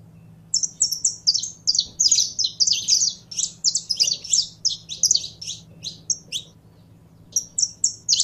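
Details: Kept saffron finch warming up and getting fired up: a lively stream of high, clipped chirps and twittering notes, delivered rapidly for several seconds before a short gap and a few final chirps.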